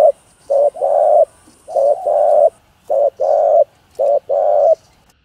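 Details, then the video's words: Spotted dove giving 'hạp'-voice cooing meant to rouse other doves to sing: four pairs of low, mellow coos, each a short note then a longer swelling one, separated by brief pauses, with a thin high whine early on. "Tiếng Cu Gáy Giọng Hạp BổI ĐỦ BÀI [ GÁY GỌI,THÚC,GÙ ]Kích Bổi Nhanh Nổi"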